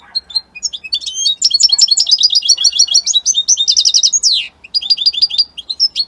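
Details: European goldfinch, called Italian, in full strong song: a long, fast stream of tinkling twitters and buzzy trills, a sharp downward-sliding note, then more quick repeated chirps.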